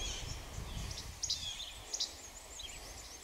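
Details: Least flycatcher (Empidonax minimus) singing at Pleasant Valley Wildlife Sanctuary on 7 June 2024: two sharp, snappy high notes about a second apart, like a clipped che-bek, over a low rumble and faint chirps of other birds.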